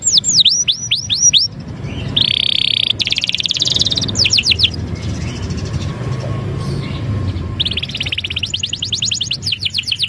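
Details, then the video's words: Gacor canary song of varied phrases: rapid falling whistles, a harsh buzzy held note, dense high rattling trills and quick chip series, with short gaps and a low background rumble. "SUARA KENARI GACOR"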